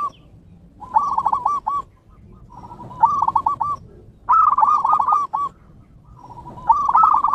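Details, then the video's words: Perkutut (zebra dove) song of Bangkok and local types, played as a lure to make caged birds sing: repeated low cooing phrases of rapid, bubbling notes ending on a longer coo, about every 1.5 seconds, with faint background murmur. "pancingan burung perkutut BANGKOK & LOKAL cepat GACOR"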